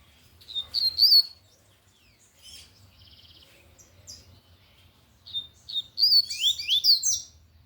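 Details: Lined seedeater singing strongly in Tui Tui style, two separate phrases of high whistles, the first short and level, the second a fast cascade of sweeping slurred notes, with faint scattered chirps between.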